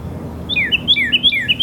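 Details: Northern Cardinal along Beargrass Creek, Kentucky, giving a quick run of about six clear, down-slurred whistles, high and sweet, over a faint low background hum; cardinals mark territory by singing, and the bird shown is possibly a molting one.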